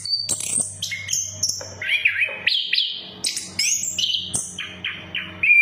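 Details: Orange-headed thrush song played as a lure so that a bird that has stopped singing starts again: a lively run of high, clear whistles and quick descending slurs with sharp chips between phrases, over a faint low hum.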